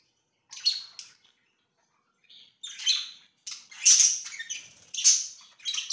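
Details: Pet budgies on 24 September 2024 chirp and chatter in scratchy, warbled phrases, sparse at first and then nearly continuous and louder through the second half, with high squeaky notes mixed in.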